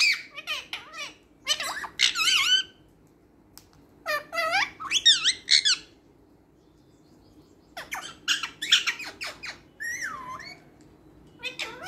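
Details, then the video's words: Talking green parrot kept as a pet, imitating speech in a small room: bursts of chattering, speech-like syllables with wavering, swooping tones, grouped in phrases separated by brief quiet gaps. "Baat karne wala tota |Talking Green Parrot"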